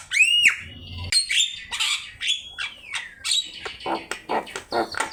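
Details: Javan myna (jalak kebo) singing actively, a master recording for teaching birds: a loud, high, down-slurred whistle opens, followed by a long run of harsh, buzzy rasping notes with short sliding whistles between them.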